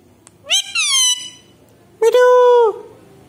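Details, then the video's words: A talking pet Alexandrine parakeet gives two drawn-out, nasal, speech-like utterances about a second apart, each ending with a downward slide in pitch. "Talking Parrot / Bolne wala mitthu"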